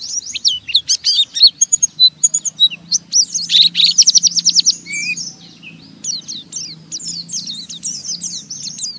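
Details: Oriental white-eye chattering roughly in ngeriwik style to spur a rival bird into song; a fast burst of high scratchy downslurred notes, about 100 per minute, fading to softer, sparser chips with a low hum below.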